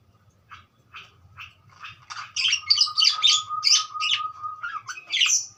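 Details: Starting softly with scattered chirps, a budgerigar builds into loud rapid chatter of grating, buzzy notes, while a thin steady tone runs beneath much of the passage.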